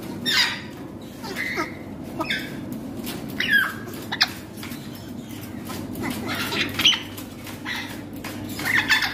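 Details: A four-month-old baby grey parrot gives raspy squawks and short whistled notes at irregular intervals of a second or two, over a steady low background hum.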